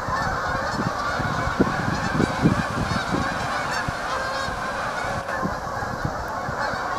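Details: A large flock of geese honking continuously, with overlapping nasal calls packed closely together and a steady low rumble of many birds underneath.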